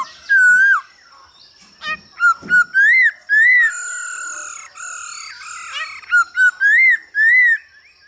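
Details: Male hwamei singing and displaying alongside a female's calls, used to stir caged birds into song: loud clear whistled phrases that swoop up and down, repeated in short bursts with quieter buzzy chatter between them.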